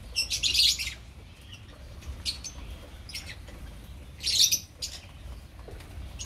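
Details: Shrill chattering chirps from a colony of opaline lovebirds, coming in two loud bursts several seconds apart with brief isolated squeaks between, over a quiet low-pitched background rumble.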